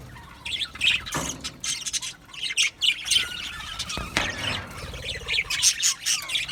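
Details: Australian budgerigars in an aviary colony, singing and chirping: a dense mix of high, scratchy chirps and squawks in rapid overlapping bursts, broken by a few sharp broadband clicks and knocks.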